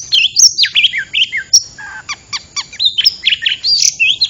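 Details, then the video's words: Oriental magpie-robin sound used to lure birds for trapping, with loud swooping whistles, sharp upward-flicking notes and quick chirp bursts, phrases following each other closely. "SUARA PIKAT BURUNG KACER"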